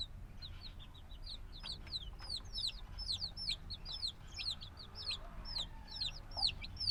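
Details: Black domestic chicks hatched a few days ago, still needing warmth from their mother, give a noisy chorus of high, short downward-sliding peeps, many overlapping at a quick, uneven pace, over a low background rumble.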